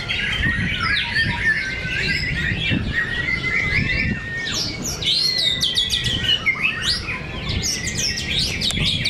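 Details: Fighting White-rumped shamas at Cibinong, Indonesia, in a fierce contest: long bursts of varied whistled phrases with sweeping, looping notes and buzzy chatter, several voices overlapping, over a constant low rumble.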